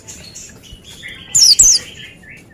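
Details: Oriental white-eye in energetic song, meant to prompt other white-eyes to answer: a faint background of thin notes, then two loud, very high, sharp chirps in quick succession near the middle, followed by a few softer high twitters.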